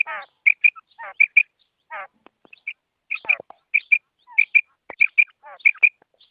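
A female quail gives quick, high double chirps mixed with short descending rasping trills, repeated irregularly about every half second.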